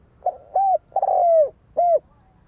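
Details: Spotted dove cooing in a four-part phrase: a brief soft lead-in, a smooth level coo, a drawn-out coo that starts burry and falls, then one more rounded coo, against a quiet background.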